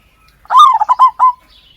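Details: Zebra dove singing while brooding its chicks, on the second day after the young were found: a quick, stuttering run of six or seven short, soft mid-pitched notes delivered in under a second.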